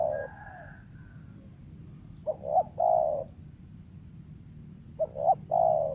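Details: Wild spotted dove with a voice prized for luring birds, known to slip into stuttering coos and one- or two-note 'kuk' endings; soft low hollow coos in two phrases, two short notes then a longer drawn coo, about three seconds apart, quiet background.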